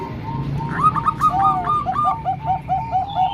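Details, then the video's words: Zebra doves, a mix of three Bangkok-type birds and one local bird for training young birds: quick bubbling run of soft cooing notes, two voices at slightly different pitches overlapping, with low background rumble. "Kombinasi 3 Suara Perkutut Bangkok Dan 1 Lokal|Untuk Melatih Perkutut Bahan"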